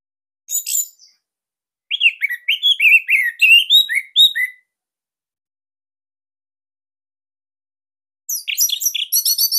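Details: Bali-type orange-headed thrush song, recorded as a master to coax young or quiet birds into singing, described as unique, dense and loud: one brief high note, then a run of quick warbled and slurred phrases, silence, and a closing high twittering series.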